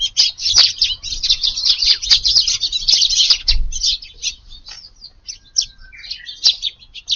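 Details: An evening garden flock of Eurasian tree sparrows, crowded together feeding on 6 July, keeps up rapid chirping, about four notes a second at first, thinning to scattered cheeps later.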